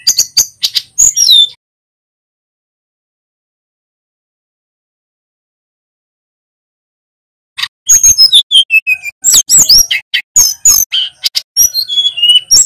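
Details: Male Sunda bush warbler from Pacitan singing vigorously: bursts of fast, varied whistles and chattering chips, then several seconds of silence before another dense, rolling phrase of slurred whistles and clicks.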